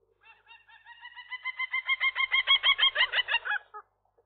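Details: Young gull pair at the nest on the day of their first egg; a quickening run of loud, harmonic, nasal notes, building to about four per second, then an abrupt stop and one last short note.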